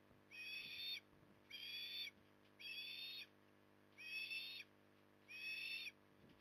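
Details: On an October 2020 evening at Port Lincoln, Australia, a feeding osprey utters five evenly spaced, high, whining whistles, each a little under a second, against a quiet background.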